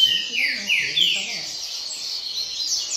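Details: Double-collared seedeater singing firmly at a singing contest circle; a rapid series of bright, downward-slurred whistled notes, then a fainter high trill, with voices of people nearby.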